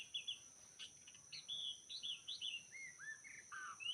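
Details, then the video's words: White-rumped shama singing wild in the forest of Lombok while trappers work: clear fluting whistles, slurred rising and falling phrases delivered in quick succession, with a constant high insect hum behind. "Rekaman suara asli murai batu hutan ketika sedang mikat"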